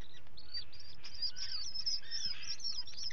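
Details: High-pitched peeping from a common guillemot chick at feeding, 11 July 2020, caught on a nesting-ledge camera: dense, hurried whistled notes tumbling over each other above a low hum.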